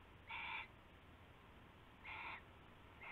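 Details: Owl calling in the early hours of February 19, 2016, around a rabbit passed as prey; two loud, brief, raspy tonal bursts about two seconds apart, a third starting at the end, over low background hum.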